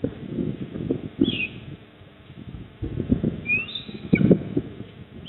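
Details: Eastern osprey at its nest in Port Lincoln, South Australia, 28 October 2024 at 19:26. Two short, high whistled chirps, the second sliding upward, over heavy low wind rumble and rustling at the nest.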